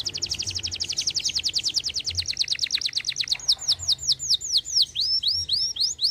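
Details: Canary singing persistently: a long rapid high trill of evenly spaced notes, switching to slower repeated downward-curving whistled phrases; song used to coax reluctant birds into singing.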